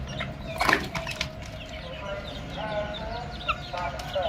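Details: Baby chicks peeping in soft, high, wavering notes, with a loud burst of wing flapping early on and a steady low background noise.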